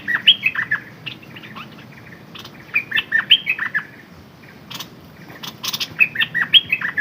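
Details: Red-whiskered bulbul decoy bird giving cheerful bursts of quick slurred whistles, three phrases with pauses between, some sharp clicking noises in the middle.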